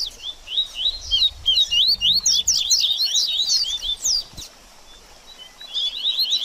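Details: Double-collared seedeater baderninha song for rousing a bird after moult: rapid, tumbling high chirps and downslurs for about four seconds, a quiet gap, then another short burst.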